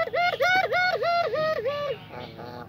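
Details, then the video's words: Puter pelung dove from Indonesia, a cage bird of the anggungan kind, cooing actively: six rapid, rhythmic, wavering mid-pitched coo notes with rich overtones run together, then a softer fading tail in a small indoor space. "PUTER ISTIMEWA pelung jodoh | pelung gacor"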